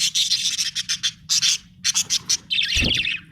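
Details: A happy budgerigar chirping: quick bursts of bright, scratchy high chirps in short clusters, ending in a longer warbling chatter, with a soft low hum behind.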